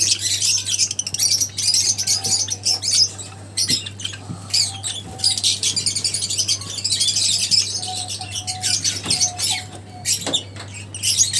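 Lovebirds keep up a constant shrill, high-pitched chatter of rapid chirps and squeaks from several birds at once, over a low steady hum.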